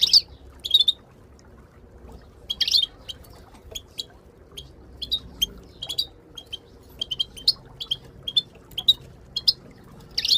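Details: Moroccan goldfinches in a group, female calling, played to get silent goldfinches singing: sharp high twittering notes scattered over ten seconds, some doubled, with louder buzzy bursts at the start and end, over a quiet hum.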